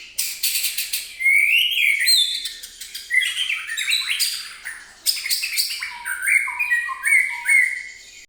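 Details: Song of a white-rumped shama used to provoke other birds: loud, varied whistled phrases, rising and falling slurs mixed with harsh rasping bursts, then a series of descending whistled notes repeated in quick succession.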